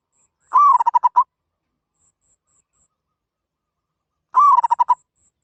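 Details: Zebra dove calling in the katok banir style: two separate phrases about four seconds apart. Each opens with a drawn-out slurred coo and breaks into five or six rapid staccato notes, with silence between the phrases.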